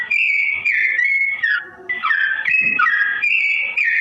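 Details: Tutor song for straw-headed bulbuls from a sooty-headed bulbul in slow tone; bright whistled notes glide and step between pitches, with a brief softer dip midway before the rich phrases resume.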